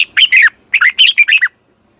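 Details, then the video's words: Vietnamese caged red-whiskered bulbul in morning training: loud, close, rapid series of rich slurred whistles in two bursts, about eight notes overall, ending abruptly. "Luyện chào mào hót sáng 2020 - Ép chào mào hót Giọng kép xoắn dài hay tuyệt"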